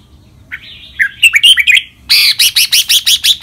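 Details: A red-whiskered bulbul in a song recording meant to prompt caged birds to sing gives a bright, warbling run of slurred whistles, then a fast series of about nine harsh, buzzy notes, repeated.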